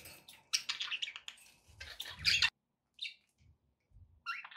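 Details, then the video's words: Budgies calling indoors with dense, harsh chattering chirps in two busy runs, then a pause broken by isolated short chirps and a closing scratchy call; faint low knocks underneath. "relaxing budgie sounds"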